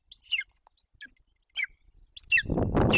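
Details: At a Golden eagle nest in Bucovina, Romania, on June 8, 2021, a hungry eaglet with an empty crop gives thin, high begging chirps in short bursts about every half second as its mother brings a roe deer fawn and starts feeding it; loud rustling follows.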